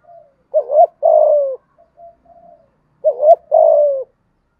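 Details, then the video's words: Spotted dove cooing "thúc gù" in the "giọng thổ" voice, described as "hạp bổi". Two phrases about two and a half seconds apart, each a short rising-falling coo and then a long, gently falling coo. Faint soft notes fill the gaps. "cu gáy thúc gù giọng thổ cực đỉnh giọng hạp bổi"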